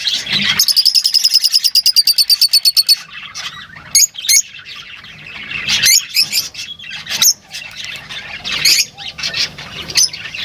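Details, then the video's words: Lovebirds calling: a rapid run of about fifteen evenly spaced shrill chirps, then scattered sharp squeaks and scratchy chattering from several birds. "Huni ng Lovebirds | Love birds Singing [ Call Sound ]"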